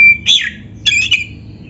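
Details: Short fragment of Oriental magpie-robin (kacer) song used to stir caged birds into singing: a high whistle, then two quick slurred chattering notes and a fading whistled tail.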